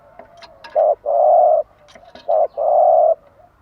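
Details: Caged spotted dove cooing in the morning, played to encourage other doves to sing: two short-then-long coo pairs, mellow and steady, with faint clicks and taps in the background.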